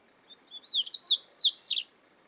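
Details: Double-collared seedeater (coleiro) recorded in the wild, giving a bright, fast phrase of swooping high whistles and twittering notes lasting about a second and a half.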